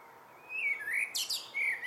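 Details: Brief evening phrase from a common blackbird: two mellow slurred whistles, a quick high squeaky flourish, and a final falling whistle.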